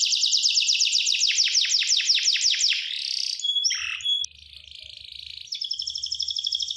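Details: Gloster canary song with a quick series of descending whistled sweeps, then a hoarse roll, a pause with faint chatter, and a renewed rapid pulsing trill.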